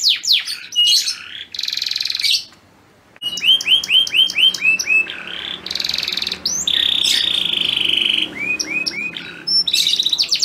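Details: Male canary singing at a female in breeding condition: bursts of buzzy trills, a short gap, then strings of upswept chirps and a sustained steady whistle, ending in a rapid trill.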